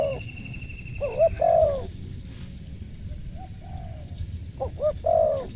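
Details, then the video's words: Spotted dove giving mellow, crisp coos in two bursts, each a short stuttering note and a longer, gently falling coo, separated by a soft quieter coo. A faint high hum stays in the background. "TAPAU TEKUKUR SUARA MERSIK"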